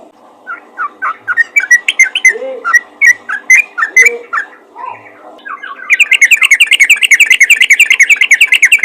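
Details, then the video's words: Yellow-vented bulbul calling to other bulbuls: bubbly, gurgling notes with a few low warbles, then a fast, dense run of chattering notes repeated rapidly in the last few seconds. "panggilan burung trucukan ropel gacor memanggil trucukan lain"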